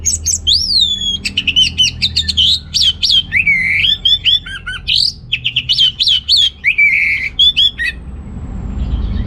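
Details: Orange-headed thrush from North Bali, Singaraja, singing as a lure to stimulate males lacking breeding drive; a fast, dense run of loud varied whistles, trills and sweeping slurred phrases, nearly continuous with brief pauses, over a low indoor hum.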